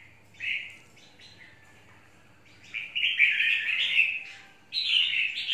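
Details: Red-whiskered bulbul singing: short bright warbled phrases with a slurred, chattering quality, separated by gaps of near-silence, with a longer louder run in the middle and a final rising note.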